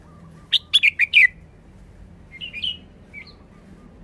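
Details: Caged red-whiskered bulbul giving a brief forest-style song: four or five loud, rich chirps in quick succession, followed by softer warbled notes and near silence.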